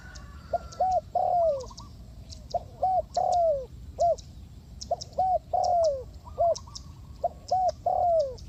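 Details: Repeated soft cooing of a spotted dove (cu gáy) from Ninh Thuận, Vietnam, recorded around bird trapping. Paired short coos lead into a long falling croon, cycling steadily, with crisp high clicking sounds and a low background rumble.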